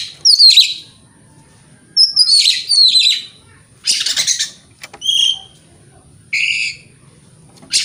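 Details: Mixed morning song of an Oriental magpie-robin, aimed at provoking rivals: sharp descending whistles, harsh buzzy bursts and short clear tones separated by brief gaps.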